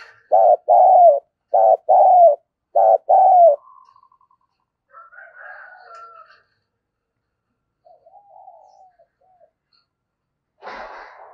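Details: Spotted dove used as a lure decoy, 'thổ thúc gù' fast cooing: three strong groups of two deep coos, a short note then a longer one, about a second apart, followed by fainter higher calls and a brief rustle.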